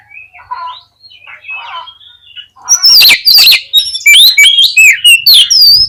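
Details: Oriental magpie-robin song for provoking rivals into fighting and spreading the tail: quiet warbled phrases first, then loud, rapid, shrill whistles and harsh scratchy notes tumbling in quick succession.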